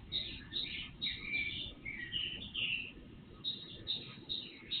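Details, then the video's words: Bird song before sunrise from an IP surveillance camera recording with amplified volume; a run of bright chirps, then lower slurred whistles in the middle, then more high chirps, against a low background hum. "Night Birds Song"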